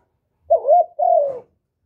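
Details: Spotted dove giving one coo phrase meant to lure other doves: a rising hollow note running straight into a long, slowly falling coo, lasting about one second, with no other sounds.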